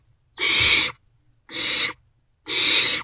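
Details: Barn owl nestlings calling at night in a nest box while passing a meal back and forth; three long, rasping hiss-screeches, each over half a second, about one per second.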